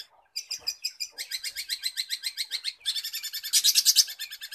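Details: Mimicking long-tailed shrike (cendet) pours out rapid repeated high notes, roughly three per second, in trilled phrases. Each phrase changes character, ending in a louder, harsher, buzzy rattle.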